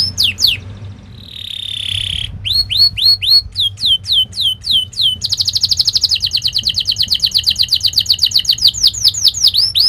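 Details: Canary in fast, sharp song, used as a lure to get young canaries rolling. Quick high down-slurred notes lead into a drawn-out whistle, then a string of sharp chips, a long rapid buzzy trill and swooping whistles.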